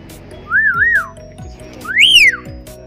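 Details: A pet talking hill myna, coaxed to sing, gives two loud, clear whistles: a wavering double note, then a single rising-and-falling slur. Low music or room noise murmurs underneath.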